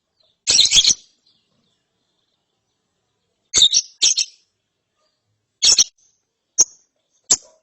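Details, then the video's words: After therapy, a lovebird chick gives a long harsh rattling chirp, then pairs of scratchy chirps and two thin sharp chips. "ANAKAN LOVEBIRD NGERIWIK SETELAH DITERAPI"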